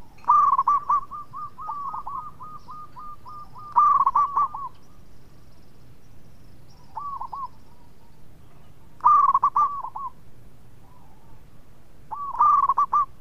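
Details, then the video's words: Local zebra dove from Indonesia in full song: clear, mellow cooing phrases of quick stuttered notes, one long rolling run of repeated coos early, then bursts of three to five coos every few seconds over a faint low background hum. "PERKUTUT LOKAL GACOR SUARA MERDU TUKANG PENGUNDANG BUNYI"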